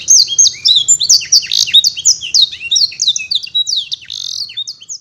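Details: Singing canary whose repertoire is filled with blackthroat and sanger phrases: loud, piercing high whistles and slurred chips in a lively, uneven stream, with a quiet low rumble underneath.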